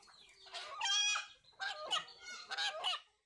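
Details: Rooster whose calling is said to resemble the word Allah: three strained, rasping, harmonic bursts, the first longest and loudest, then two shorter closely spaced cries, fading to quiet at the end.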